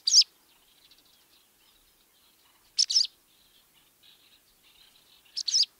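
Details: Barn swallow chatter call: three short, high, sharp chirp bursts spaced a few seconds apart, some doubled, with faint soft twittering between them in a quiet setting.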